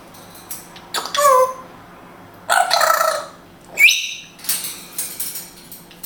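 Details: African grey parrot kept as a pet in Israel, talking in Hebrew: raspy, word-like bursts separated by pauses, then a quick upward-sweeping whistle followed by further chattering syllables.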